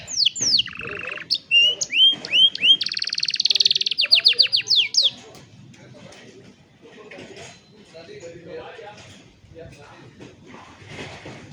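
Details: Canary song for young canaries to learn, phone recording: about five seconds of sweeping whistles, a low rolling trill and a dense buzzy rattle of rapid notes, then only faint scattered sounds.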